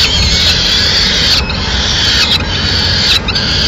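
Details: Peregrine falcons at a Madrid nest, 29 April 2016, with the mother arriving with food for the chicks; a near-continuous rasping, screaming call, broken by only a few brief pauses.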